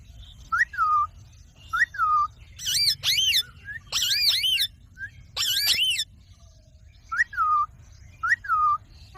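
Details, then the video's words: A pet talking rose-ringed (ringneck) parakeet gives short upswept whistles, then a run of harsh, rising-and-falling talking phrases before the whistles return; no other sounds stand out. "ringneck talking parrots voice"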